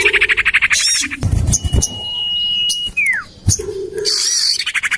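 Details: Common iora lure recording made to attract birds, tested in a garden by a house: one long steady whistle dropping into a sliding downward note, framed by rapid rattling chatter.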